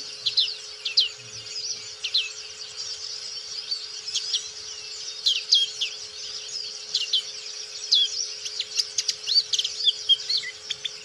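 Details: Black-capped white-eye, a bird kept for singing, in an active, full-voiced song: a rapid, continuous run of high, thin twittering notes with quick upward and downward slurs, scattered sharp clicks, and a faint steady hum underneath.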